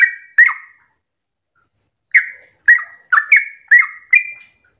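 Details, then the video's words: Morning song of a Yellow-vented bulbul in 'ropel' style, meant to trigger singing in other bulbuls; two chirps, then about a second and a half of silence, then a quick burst of six bubbly notes. "Pancingan trucukan gacor ropel pagi hari trucukmu pasti langsung nyaut"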